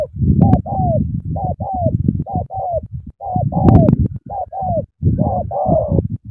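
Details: Eager spotted dove cooing: repeated pairs of soft, falling coos, each a short note then a longer one, over constant low rumbling and knocking noise close by.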